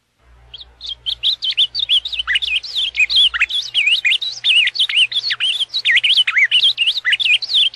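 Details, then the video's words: Ultramarine grosbeak singing in the Paraná song style: a loud, clean, continuous run of rapid whistled warbling notes, sliding up and down in quick rising and falling phrases, with a faint low hum during the first few seconds. "Canto do azulão paraná"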